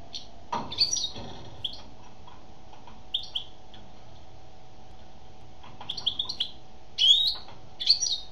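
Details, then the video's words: Female European goldfinch singing: scattered bright twittering notes in short bursts separated by pauses, with a soft thump near the start and a steady faint hum underneath. "Chant d'une femelle chardonneret"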